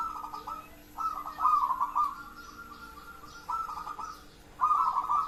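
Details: Local zebra dove singing: soft, mid-pitched rolling coos broken into quick staccato trills, delivered in short phrases with pauses, over a faint steady hum.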